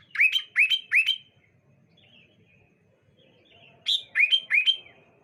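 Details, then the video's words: Sooty-headed bulbuls sing back and forth on a clear morning. Two bursts of three to four quick, bright, slurred whistles are heard, with a faint distant bird twittering in the gap between them. "Suara Burung Kutilang Saut Sautan"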